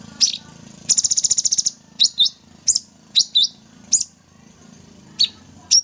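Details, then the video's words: Sooty-headed bulbul singing hard in 'tembak' style: one chip, then a fast high rattle of about ten pulses, followed by a series of sharp, doubled, slurred chips spaced about half a second apart. "Cucak Cungkok full tembak gacor"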